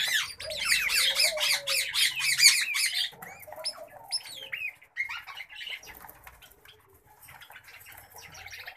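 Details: Pet common babblers break into a loud, rasping chorus of trilled squawks for about three seconds. It fades into sparse, quieter squeaks and soft rustling.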